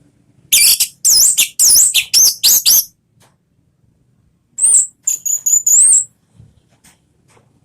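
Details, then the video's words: Orange-headed thrush song in the ngeplong style, used as a lure to prompt a pet bird to sing: two bursts of rapid, very high, sharp whistled notes, the second set with sweeping slurred whistles, separated by a pause of about two seconds. "SUARA BURUNG ANIS MERAH ¦ PANCINGAN NGEPLONG"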